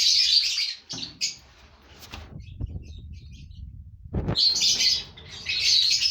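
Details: Five breeding pairs of lovebirds kept as a colony, giving loud high-pitched screechy chatter in dense bursts, broken by a quieter stretch with a few thumps and rustles before the shrill chorus resumes.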